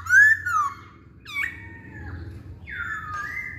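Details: Masked laughingthrush singing: a loud rising-then-falling whistle, followed by a long level whistled note and a downslurred whistle, all over a low background hum.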